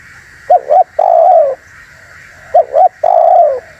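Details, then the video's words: Spotted dove lure call for trapping wild doves and provoking rivals: two quick looped notes followed by a long slurred falling coo, the phrase given twice about two seconds apart, with a faint constant hum behind. "SUARA BURUNG TEKUKUR UNTUK PIKAT DAN PANCINGAN"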